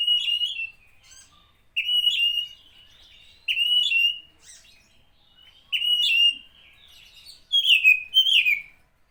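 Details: Oriental magpie-robin song meant to rouse other magpie-robins: five loud whistled phrases, each a warbling, slightly wavering note with thin high embellishments, given roughly every two seconds over quiet background.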